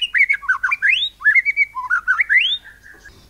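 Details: White-rumped shama singing cililin-style phrases to provoke other birds: a rapid chain of sweet, mid-pitched whistles looping up and down, ending in a rising slur and a brief sharp note.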